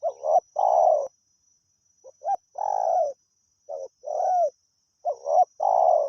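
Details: Spotted dove from the wild calling continuously during decoy luring: four phrases of clipped introductory notes leading into a longer rough coo. A faint high whine runs underneath.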